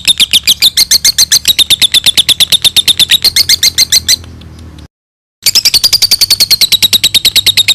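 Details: Lovebird giving a long ngekek trill used as a lure and master song for training other birds: a rapid series of sharp, high chattering notes at about six per second, one pause, then the trill resumes.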